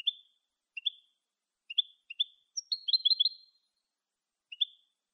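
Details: European goldfinch in clean Malagueño song style, used to tutor young goldfinches: short high chirps repeated roughly every second, breaking midway into a quick twittering cluster, then single chirps again; clean background.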